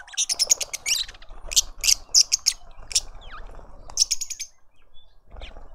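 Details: Lovebirds at a feeder in a suburban garden in Pretoria, South Africa, giving bursts of shrill, high chirps in rapid clattering runs, pausing briefly between volleys, with faint lower twittering behind.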